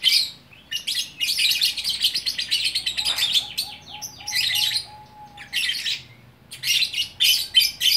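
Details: Lovebird singing gacor in Bukittinggi, West Sumatra: long stretches of fast, high, buzzy twitters in dense runs, separated by short silences, over a faint thin whine.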